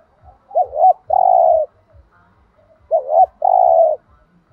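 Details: Two repeated thổ đồng-voice thúc gù phrases from a spotted dove. Each is a brief doubled, wavering note followed by a long, level coo. Gentle rhythmic low thumping continues behind.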